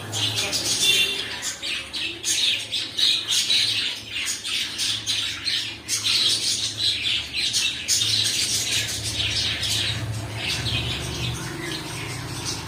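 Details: Several pet cockatiels squawking and chattering almost nonstop, loud raspy calls coming in rapid pulses, with a constant low electrical hum beneath.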